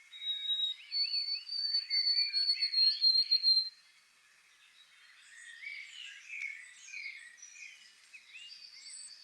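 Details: White-throated Sparrow song recorded near Lewes, Sussex, in spring: clear, pure whistles held on a steady high pitch for a few seconds, then fading into softer, mixed chirps and twitters from other birds.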